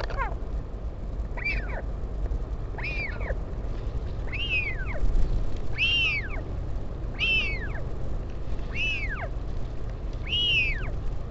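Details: Parent visit at the northern royal albatross colony on Taiaroa Head near Dunedin, New Zealand, 16 July 2019. Eight loud, rich arched whistles with overtones rise and fall, repeated roughly every 1.4 seconds, over a low rumble.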